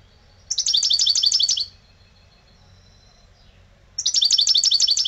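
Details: An owner's old European goldfinch singing in the lebrijano style: a high, rapid metallic trill of about a second, a thin faint note in between, then the same bright rattling trill starting again.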